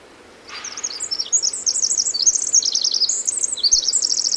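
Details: Song of a Pacific wren, once called Winter Wren, in the Hoh rainforest in June 2011: after half a second of quiet, a long high-pitched torrent of fast warbled notes and buzzy trills pours out, with faint low thumps below.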